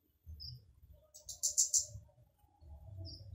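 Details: Flowerpecker giving loud song meant to draw other flowerpeckers into singing: a single short, fast burst of piercing high ticks in mid-clip, plus faint isolated chips, over steady low-pitched background noise.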